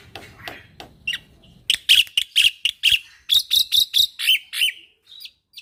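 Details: Young Javan pied starling in full song, a master recording used for training: loud clipped whistles and chattering notes repeated in a quick series, preceded by softer scratchy calls.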